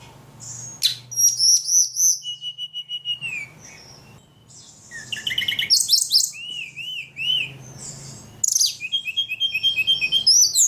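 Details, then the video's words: Very active ledekan giving varied high song in several phrases: whistles, a level trill, bursts of rapid chatter and repeated arched notes, with short quiet spells between. "Burung ledekan paling gacor"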